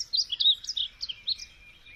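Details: Short snatch of high, warbled bird song: a few quick swooping notes, then trailing softer chirps.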